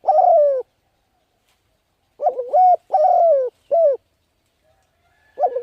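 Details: Spotted dove cooing in the thúc gù style used to attract wild birds: one long sliding coo, a silent gap, then a quick run of wavering and drawn-out coos, with a faint thin whistle near the end.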